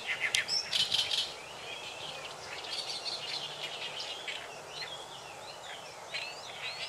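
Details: Oriental reed warbler (Acrocephalus orientalis) singing at Sakurasou Park, Saitama, Japan, in May 2012: bursts of loud, harsh, grating notes repeated rapidly, with fainter chirps and thin whistles from other birds over a steady outdoor hiss.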